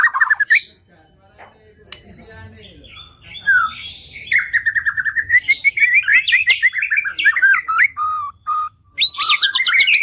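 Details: White-rumped shama (murai batu) song from a tutor recording for training songbirds: a long, varied run of clear whistles, slurred notes and rapid chattering trills, mostly high-pitched, with short pauses between bursts.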